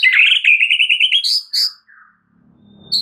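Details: White-rumped shama singing a lure phrase to draw out another shama's full repertoire: a fast, loud trill of about a dozen rapid notes, then two bright high whistles and a quieter falling note, followed by low hum.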